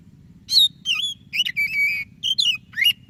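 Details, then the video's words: Vigorous song of a white-breasted magpie-robin meant to coax silent birds into singing: bright whistled phrases, one long even note held near the middle, then rising and dipping slurs, over a faint low drone. "Suara Burung Kacer DADA PUTIHH Gacor cocok untuk Pancingan Kacer yang malas BUNYI."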